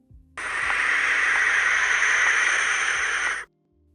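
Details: A barn owl (Tyto alba) gives one long, harsh, hissing screech lasting about three seconds, rough and steady throughout, with a sudden stop.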